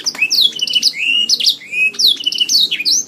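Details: Canary song from a songbird training recording: repeated high downward-sweeping whistles and a few upslurred notes in quick succession, interrupted by brief sharp clicks, loud and clear.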